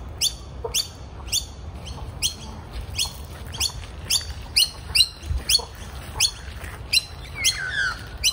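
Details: Two young magpies caught in the rain at a morning feeding give harsh, scratchy, downward-sweeping squawks about every half second over a steady hiss of rain.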